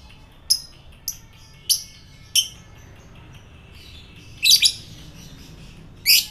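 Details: Lovebird calls used as a lure to provoke fighter lovebirds into long chattering ngekek song: a few short, sharp, high chirps spaced about half a second apart, then a pause, then a louder doubled chirp and one more at the end.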